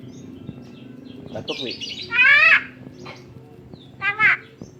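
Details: Javan myna kept tame and said to mimic talking and coughing, giving a loud grating buzzy call midway and a shorter double rasp near the end, with low murmuring background noise.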